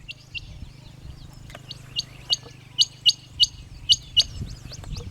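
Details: A shy Harlequin Quail calls from bush in marshes near a village in Kilifi on the Kenya coast early in the morning. It gives about seven sharp, high whistled notes in quick succession over wind rumble and faint background noise.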